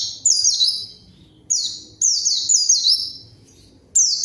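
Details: Lively white-eye song used to lure a rival bird: bursts of high, thin, rapidly descending whistled notes, each phrase about half a second to a second long, separated by short silences, with faint low background rumble.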